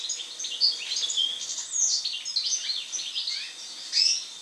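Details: European goldfinch singing after moult, a dense, bright stream of chattering high twitters and short buzzy trills, loud and close, over a steady high hum.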